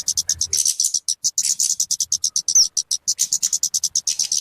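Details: {'caption': 'Kemade or talokan call for luring or tutoring birds: quick, evenly spaced high chips in a steady rattling series, with one brief rising whistle near the middle.'}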